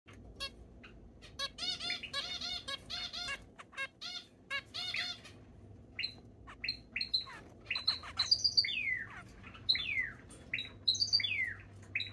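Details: Brooding zebra finches give nasal, buzzy calls and quick chirps, mixed with thin rising and falling whistled notes.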